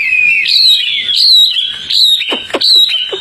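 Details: Tame Hwamei, locally called wambi, kept outdoors and singing very actively: loud, clear whistled phrases that slide up and down, with a few sharp downward-swept notes near the end.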